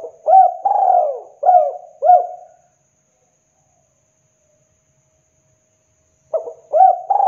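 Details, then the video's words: Spotted dove used as a lure for wild doves: low hooting coos around 500–800 in short phrases, three or four notes with a rising inflection, pause of several seconds, then another phrase begins. "PANCINGAN TEKUKUR TERAMPUH | Masteran Derkuku Gacor Cocok Untuk Pancingan / Pikat"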